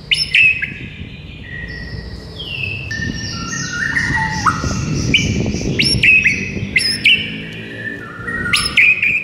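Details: Morning masteran of a White-rumped shama, played to stir a mute shama into singing: varied cascading whistles, descending slurred notes and sharp high flicks, with a low murmur of background noise.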